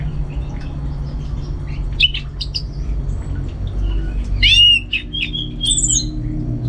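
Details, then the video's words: Orange-headed thrush singing at home in North Bali as training before contests: scattered short whistles and chips, then a loud swooping whistle and high thin notes, over a constant low droning background. "Super Kicauan ANIS MERAH Gacor"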